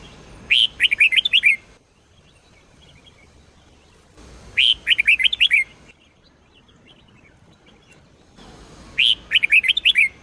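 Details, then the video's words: Sông Kôn-style red-whiskered bulbul singing energetically, used for daily training of bulbuls: three bright phrases of rapid looping whistles, each about a second long, coming roughly every four seconds with quiet gaps between. "chào mào SÔNG KÔN hót cực hay"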